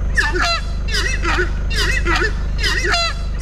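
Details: Horned screamer (Anhima cornuta) in the Llanos Orientales of Colombia gives loud, honking, goose-like calls in about four bursts, each a harsh two-part note, over a steady low rumble.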